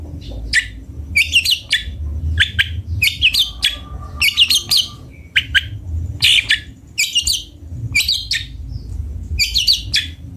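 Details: Cendet bondol, the long-tailed shrike, delivers a varied chattering song of short sharp notes and twittered clusters in irregular bursts, with a faint steady tone briefly in the background.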